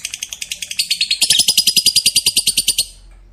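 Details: Fighter lovebird giving its ngekek, a long trill said to make other lovebirds join in. Rapid, even stream of high, harsh chattering notes, about three per second-fraction, lasting nearly three seconds, then stopping.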